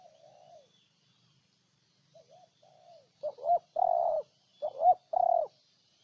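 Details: Spotted dove in Ninh Thuận, Vietnam: soft distant coos at first, then four loud, close, hollow cooing notes in quick succession, with faint high bird chirps behind.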